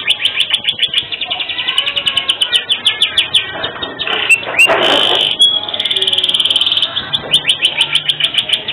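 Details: Canary singing vigorously in a unique cengkok style, used for masteran song tutoring: rapid repeated notes, a harsh rasping burst midway, a steady high trill, then more quick rolling notes.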